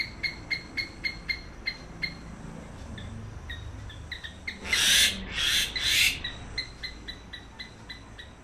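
Common myna giving short, clear notes about twice a second, broken midway by three loud, harsh rasping screeches before the notes resume.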